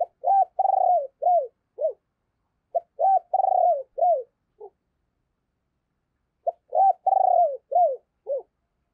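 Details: Three hoarse coo phrases about three seconds apart from a decoy spotted dove calling and urging to stir up wild doves, each a short note, a pulsed rolling coo and two or three dropping notes.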